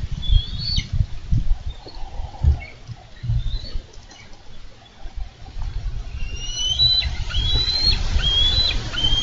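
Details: Wild bald eagles at a Minnesota nest, recorded by nest camera on 4 July 2013 as the male delivers a carp and the female lands behind him; thin whistled chirps sound in the last few seconds over heavy low rumbling wind and handling noise.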